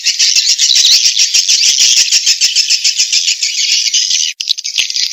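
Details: Swiftlet lure call meant to draw in swiftlets, heard as a dense, continuous high twittering chorus of overlapping chirps with a brief break near the end.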